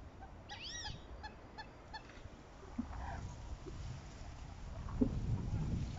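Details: Southern screamer (Chauna torquata), call: pair-bonding.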